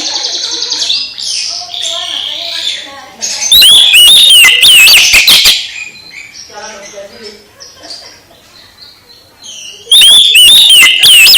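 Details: Oriental magpie-robin singing to spur a quiet magpie-robin back into vigorous song: loud, rich whistled phrases with sharp, clipped bursts, busiest around four to five seconds and again near the end, over a noisy background.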